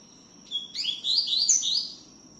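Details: A double-collared seedeater sings tui tiu style, very actively: a thin lead-in note followed by a lively string of about six rapid, rising whistled slurs, over a continuous high faint tone.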